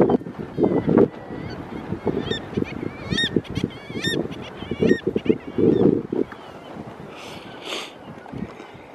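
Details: Thick-billed murres at a breeding colony on Novaya Zemlya, recorded with a Canon PowerShot SX60 HS: a dense chorus of low, growling, honking calls from many birds, with higher squealing notes above and a steady rumble of wind.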